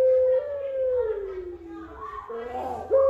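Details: Puter pelung dove giving a drawn-out coo that starts level, slides slowly downward, then breaks into a rougher rising note, with a steady low hum underneath.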